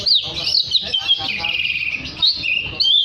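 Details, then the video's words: Oriental magpie-robin in full song, used to call other magpie-robins into singing: a continuous, rich run of sweet whistles, quick slurs and buzzy trilled notes with hardly a break, over faint low background noise. "Terapi Suara kacer gacor untuk memanggil kacer lain dijamin langsung ikut bunyi.."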